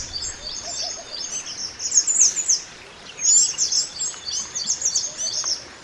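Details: Mountain white-eye, natural wild song used as a master for training other birds: dense high twittering chatter with quick sliding notes, louder bursts around two and three seconds, continuous throughout.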